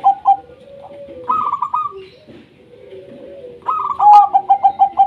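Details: Local wild-type zebra dove singing to draw reluctant doves into song: scattered short coos and a higher trilled phrase, then a strong closing run of rapid, evenly spaced pulsed notes.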